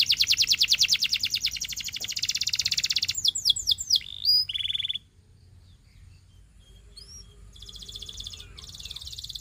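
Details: A Belgian singing canary sings a fast, high rolling trill of rapid repeated notes, then quick whistled slurs and bright chirps before fading to quieter notes.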